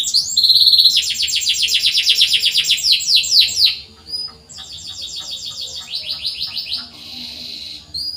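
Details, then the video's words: Singing canary, played to coax reluctant canaries into song: loud rolling trill of rapid notes, a brief pause, then quieter repeated swept phrases and a soft rasping burst, high-pitched throughout with light low background noise. "PANCINGAN BURUNG KENARI SUARA CUIT CUIT COCOK UNTUK MASTERAN BUAT YANG SUSAH BUNYI"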